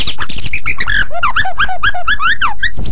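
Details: White-rumped shama singing energetically, used as a master song for other birds to learn: loud, varied whistled phrases, rising and falling slurs and chopped rapid notes in quick succession, with a harsh squawky start.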